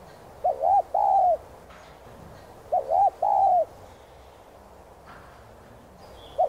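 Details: Spotted dove cooing, used to stimulate caged doves to sing: two-part phrases, a short arched coo followed by a longer swelling one, repeated about every two seconds with quiet gaps between.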